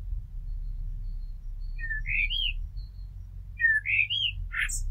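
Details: Blackbird, a resident garden bird, delivering two similar rising whistled phrases a couple of seconds apart, the second ending in a high scratchy twitter, over steady low background hum.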